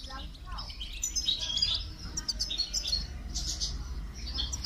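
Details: Goldfinch during song training, giving scattered bursts of high, jingling twitters over a steady low hum, with a short lower note near the start.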